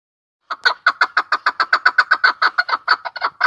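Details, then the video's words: Chukar partridge recorded in Tajikistan in 2020: after a brief silence, a loud, rapid run of clucking chuk notes repeats about six times per second for three seconds, steady and even in rhythm. "Садои Кабк 2020.Как поёт горная Куропатка,Кеклик 2020.Partrige,Keklik in Tajikistan"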